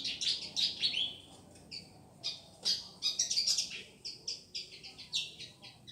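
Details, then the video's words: Madura pied fantail delivering bursts of high, bright chirping whistles in quick clusters with short pauses, energetic and repeated throughout, background otherwise quiet. "Burung kipasan dumajah"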